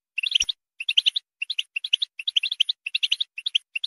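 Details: Clean goldfinch song for encouraging a goldfinch to sing: short clusters of liquid, tinkling twittered notes separated by brief silences, repeated about eight times, with one sharp click near the start.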